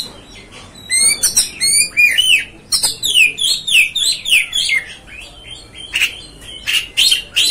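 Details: Oriental magpie-robin (kacer) singing to stir up another bird: after a quiet start, a fast run of slurred whistles and sharp chirps, many notes falling in pitch, with scratchy high bursts between phrases.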